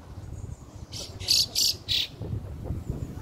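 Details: Fieldfare chick with its family, recorded on June 2nd: four loud, harsh, high-pitched bursts in quick succession over about a second, then quiet with low rumbling background noise.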